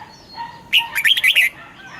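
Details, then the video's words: One brisk red-whiskered bulbul phrase from a morning song training recording for caged birds, in the double-note mature wild style: a quick run of bright, bouncing, up-and-down notes lasting under a second. "Luyện giọng cho chào mào hót sáng, ép chào mào hót âm kép già rừng hay tuyệt!"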